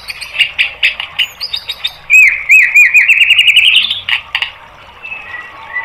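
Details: White-rumped shama training song for caged birds: quick chips, then a run of looping whistled notes rising steadily in pitch, followed by a few softer notes and a quiet pause.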